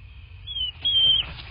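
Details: Bald eagle at a nest in southwest Florida, nest camera, 26 February 2024, 09:21 in the morning: two high, thin whistled notes, the second louder and held, then a fading tail, over low rumbling background noise.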